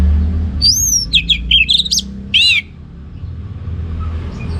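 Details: Ngeplong gacor song of an orange-headed thrush. A clear, high whistled phrase leads into rapid jumbled chips and slurs, then one more loud note before quiet with a low background rumble.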